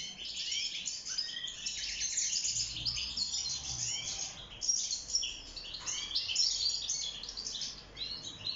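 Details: European goldfinch, wild bird kept caged, singing for mating and nest building; a rapid, sparkling chatter of chirps, slurred whistles and short trills, swelling louder after the midpoint.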